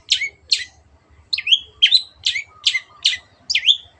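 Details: Long-tailed shrike, locally cendet, singing in a clear recording made for training pet birds. Eight scratchy notes, several ending in a swooping whistle, follow each other every half second after a short gap.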